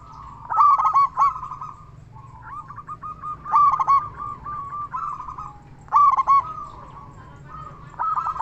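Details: Zebra dove, a local bird with a big voice, used as a singing lure for other zebra doves: loud staccato coo phrases roughly every two and a half seconds, linked by softer rolling trills.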